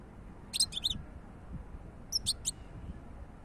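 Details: European goldfinch giving two short bursts of bright, twittering notes, high and tinkling, with quiet low background hum between them.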